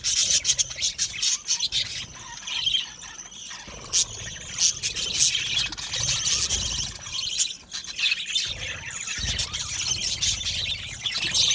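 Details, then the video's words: Australian budgies singing in an aviary colony: dense, high-pitched chattering warble with sharp squeals and chirps repeated throughout, loud and unbroken for the whole stretch. "Budgies singing and Chirping Sounds"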